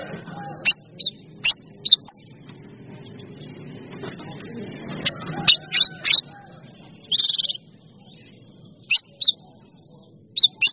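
A bulbul gives short, sharp, high chirps and clipped whistles in scattered bursts, some in quick pairs, over a faint low background hum.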